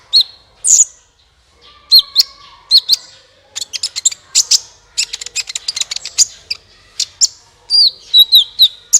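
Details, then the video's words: Sunbird calling to lure other birds into song: high thin notes and warbled slurs, a dense burst of rapid chips in the middle, then quick wavering whistles at the end. "suara burung Kolibri ampuh untuk pancingan"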